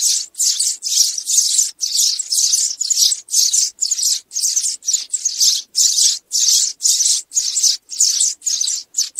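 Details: Sparrow calls for summoning the flock, used in trapping; loud, harsh chirp bursts about twice per second, each packed with overlapping notes.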